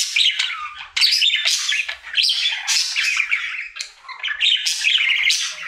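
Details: Daily song of a male pet budgerigar: loud, continuous chattering warble of squeaky chirps, buzzy rasps and sharp clicks, almost without pause, indoors.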